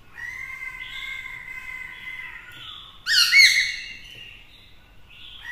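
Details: Caged Black-throated laughingthrush singing to provoke rivals, with a female kept nearby to stir the male: a long, steady whistled note with rich overtones, then a sudden loud burst of rising, buzzy slurred notes, and a faint whistle at the end.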